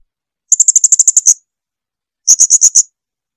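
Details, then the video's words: Clear song of a blue-crowned hanging parrot, made for teaching caged birds: a fast run of about ten shrill, high clicking notes, a pause of nearly a second, then a shorter run of five. "Lagu jernih SUARA BURUNG SRINDIT."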